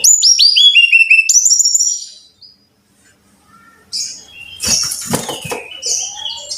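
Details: Brown-chested jungle flycatcher song meant to stimulate caged birds: a rapid cascade of pure, descending whistles, a pause of near silence, then a rattling burst of harsh, crackling notes.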